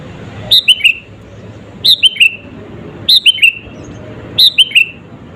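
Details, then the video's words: Four evenly spaced phrases from a sooty-headed bulbul, each a quick run of three clear whistles dropping in pitch, sung as a lure to make rival birds agitated; low steady hum underneath. "SUARA BURUNG KUTILANG GACOR ASLI TAMPA ISIAN..,!!!pancinga kutilang bikin lawan emosi..."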